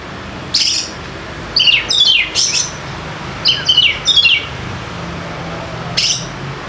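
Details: Oriental magpie-robin song used to make quiet birds start singing: loud, bright whistles falling steeply in pitch, grouped in clusters of two to four notes with short gaps, and a single note near the end, with background hiss.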